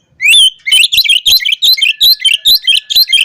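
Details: Oriental magpie-robin singing in the lively ngobra style, a song meant to call out rivals. Loud, rapid series of sharp, chirpy whistled notes, about four per second, over a faint steady high tone.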